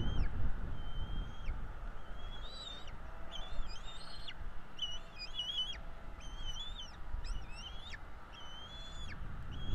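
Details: Bald Eagle chicks, two young in a Florida nest, calling during a feeding on 5 April 2022. Overlapping high whistles with wavering, stepped pitch come in quick succession, several per second at times, over soft background rumble.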